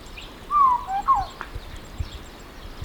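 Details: Sao Tome Oriole (Oriolus crassirostris) singing: a loud, fluted whistled phrase of a few slurred, gently falling notes, then a second short whistle, over a low background hiss.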